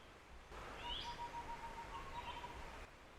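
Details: Chestnut-winged Babbler calling high in the trees and responding to playback without coming down, at Khao Lan, Prachuap Khiri Khan, Thailand: a quick run of about a dozen low, hollow, even whistled notes, a brief higher chirp from another bird, faint forest noise.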